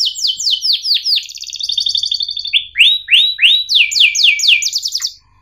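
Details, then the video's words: Canary song recorded to train young birds, a series of loud slurred descending whistles, a rapid rattling trill, then bright rising and falling sweeps about four per second. "Kenari Gacor Cuit Ngerol TAJAM"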